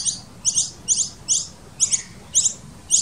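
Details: Noisy miner (Manorina melanocephala) nestlings in a nest in the hollow of a tree fern in a Sydney garden beg while being fed by adults: high, harsh, wheezy chirps, about two each second in short bursts, over a soft low rumble.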